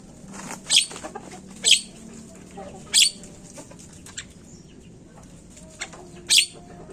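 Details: Javan myna lure sound for prompting quick singing: a series of rough, noisy squawks, four strong and several softer, spread over seven seconds, with scattered faint clicks and chirps.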